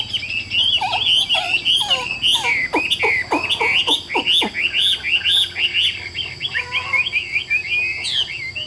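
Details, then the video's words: Chinese hwamei, a caged, largely tame bird, delivering a loud continuous song of rapid warbled notes and clipped whistles, with a burst of sharp descending strokes in the middle; low steady hum underneath. "795 Giả Cả Nhẹ Nhàng Cho Ae Nghe Hót Nhé, Chim Thuần 80%"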